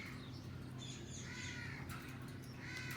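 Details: A captive Alexandrine parakeet playing on a cage alongside a green ringneck gives harsh, raspy squawks, two or three drawn-out calls in quick succession, over a steady low indoor hum.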